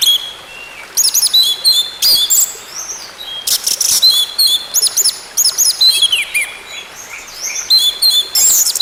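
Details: Orange-headed thrush song, played as therapy to get a bird singing again: a nearly continuous stream of very high, squeaky chirps, trills and slurred whistles in dense bursts, over faint hiss.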